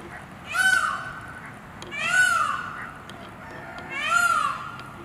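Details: Peacock grooming, recorded on 15 April 2022 with a Canon 5D Mark IV camera, gives three loud, wailing cries about every 1.7 seconds. Each is a rich harmonic note that arches up and down, over a faint background hiss.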